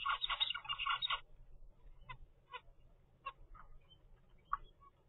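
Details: Twenty-five-day-old captive zebra finch from a first nest opens with a fast, loud chatter of buzzy nasal notes lasting about a second. Sparser single short calls follow, roughly every half second to second.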